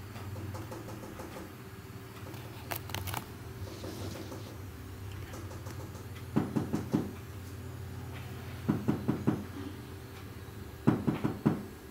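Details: A low rumbling hum runs throughout, like an engine or appliance. Clusters of sharp knocks and taps break in at intervals, and no animal calls can be picked out.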